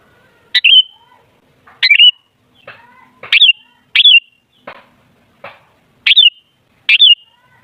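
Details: Sooty-headed bulbul sound meant to lure other bulbuls into loud song: clear, sharp, down-slurred whistled notes, some doubled, in an uneven series, with softer clicks between.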